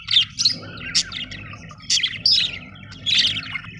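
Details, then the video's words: Short bursts of high budgerigar chirps and whistled squeaks, about six separate phrases with short pauses between, over a faint low hum. "budgie chirping sound"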